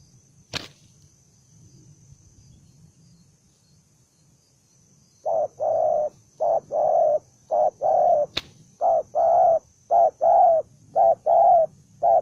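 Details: Aggressive, fight-ready spotted dove, one bổi đồng son bird, calling in rapid low cooing phrases: short clipped note then longer rolling one, repeated steadily about once a second after four seconds of near silence and a couple of clicks.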